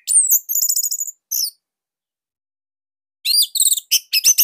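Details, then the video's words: Orange-headed thrush master song, described as unique and loud, for training others: fast high trilled phrases and sharp slurs, a silent gap, then another rapid chattering run. "Kicauan Joss ANIS MERAH Pancingan Masternya Para JUARA"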